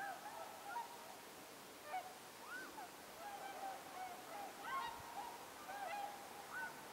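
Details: Whooper swans arriving as a flock, flying at night under a starry sky at Mutsu, Shimokita, on 15 October 2015; soft, fairly faint bugling honks overlap from several birds, some rising or bending, over a steady background hiss.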